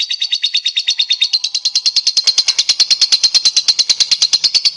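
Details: Rapid, even lovebird chatter meant to prompt other lovebirds into song: a long run of buzzy, rasping notes at about three per second, growing steadier and louder as it continues.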